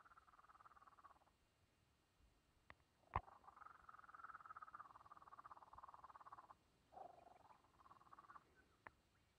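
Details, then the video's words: A little young kookaburra makes quiet, hushed conversational calls, captured on a phone camera: warbling, buzzy murmurs with a steady pitch, in phrases lasting one to three seconds, separated by short pauses, with a few sharp clicks. "Conversation With Kookaburra"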